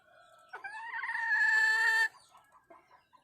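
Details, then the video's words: Wild hen calling to the rooster: a drawn-out, tonal cackle rising slightly over about one and a half seconds, then stopping abruptly, followed by a few soft low clucks. "suab poj qaib qus seev tau zoo heev 2021.tiếng gà mái gọi trống"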